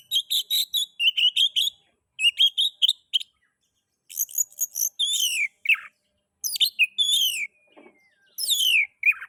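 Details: Song of an Oriental magpie-robin, played to stimulate other magpie-robins to sing: quick series of repeated buzzy notes, then loud down-slurred whistles and varied phrases, nothing else heard.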